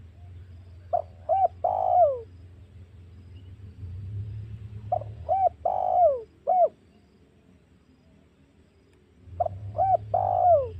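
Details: Spotted dove lure call for provoking and hunting wild doves: three phrases of hollow, mellow coos, each a few short notes then a longer falling coo, repeated about every four seconds over a low steady rumble.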